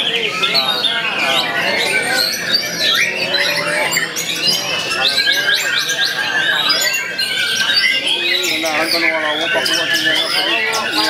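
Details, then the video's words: A talented young white-rumped shama sings persistently, pouring out a dense stream of varied whistles, rising and falling sweeps and rapid chattering phrases, overlapped by other birds, with human voices murmuring underneath throughout. "MURAI BATU GIANT II KERJANYA NGOTOT MURAI MUDA"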